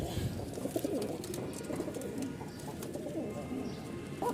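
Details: Domestic pigeons, pairs of cocks put back in their own cages at a pigeon farm, coo in low, throaty, rolling notes that overlap in a steady murmur.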